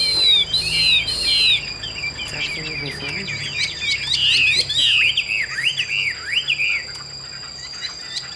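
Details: Whistled song of a caged Chinese hwamei from Vietnam, a bird said to suit fighting or singing: clear looping notes that rise and fall in waves, with a short burst of hiss at the start and a constant high whine.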